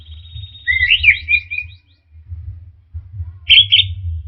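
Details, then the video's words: Orange-headed thrush song lure for stressed birds that have stopped singing: a pulsing whistled trill with stepped, wavering notes, a pause, then a sharp buzzy burst, over continuous low hum. "pancingan Anis merah setres dan macet bunyi"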